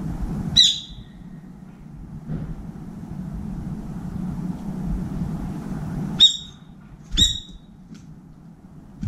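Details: Brown-eared bulbul calling for a companion at a window feeder: a shrill screech, a long pause, then two more sharp screeches a second apart, with soft low background hum.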